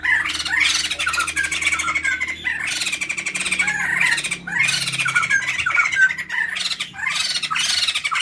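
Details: White-crested laughingthrush male and female pair in noisy cackling song, meant for training or luring birds: four rhythmic surges of harsh laughing chatter, each about two seconds long, following one another closely.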